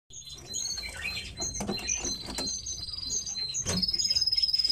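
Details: Several captive tits kept indoors give high, thin chirps and short trills, with a rapid buzzy rattle near the end and faint tapping and rustling from the cage.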